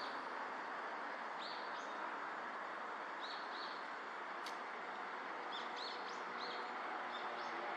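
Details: Male Daurian redstart giving brief high whistled notes, in loose pairs and clusters with gaps between, set against constant loud rushing background noise.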